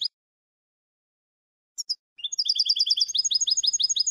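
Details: Tutor song for young European goldfinches, 'eco' style without endings or flourishes. After a long silence and two brief high notes, rapid repeated chirping notes build into a steady, fast, high twitter until the end.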